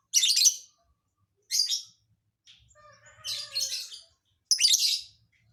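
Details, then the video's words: Lovebird with a strange filler song that is hard to predict. Loud, raspy high bursts alternate with a lower, softly warbled twitter, repeating roughly every second and a half. "Burung lb isian aneh"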